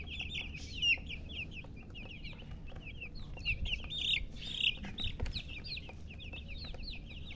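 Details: Many chicken chicks chirping together, a continuous chorus of high, quickly falling peeps repeated nearly twice a second, with a faint low hum beneath.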